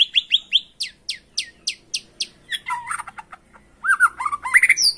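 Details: White-rumped shama song played as a lure to get caged birds singing insistently: a run of about ten sharp downslurred high notes, then varied fluting phrases and rising whistles.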